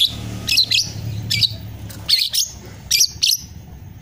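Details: Juvenile long-tailed shrike practising songs learned from master recordings, producing harsh, scratchy bursts in pairs with short gaps and a low room hum underneath.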